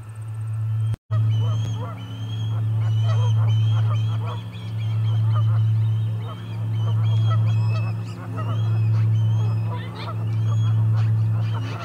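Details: Ospreys at the Charlo osprey nest, recorded 29 August 2021. Rapid thin whistled and chattering notes run throughout, busy and overlapping, after a brief cut near the start. A low hum swells and fades rhythmically beneath.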